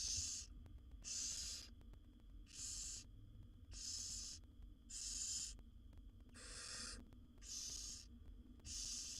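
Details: Seven wild barn owl nestlings in a monitored nest box hiss and snore for food as the mother feeds them; eight rasping broadband bursts follow in a steady rhythm, with a faint low hum beneath.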